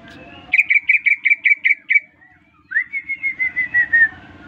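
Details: Greater green leafbird, newly bought, singing at once when whistled to: eight quick, clear chirped notes in a steady row, a short gap, then a smooth rising-and-falling series of whistled notes fading lower.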